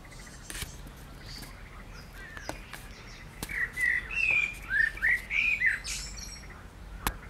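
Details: Wild common blackbird in reedy surroundings, mid-June 2020: after a quiet start with sharp clicks, a rich fluted phrase of looping whistled notes, rising and falling over about two seconds.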